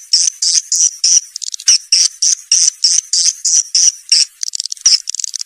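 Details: Swiftlet calls played to lure young swiftlets into a new building: short, very high buzzy chirp bursts repeated about three times a second, ending in quicker rattling ticks.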